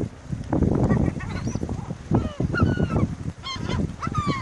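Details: Gulls squabbling over food give loud, strained, rising and bending squeals, several overlapping near the end, above a constant low thumping, rumbling background.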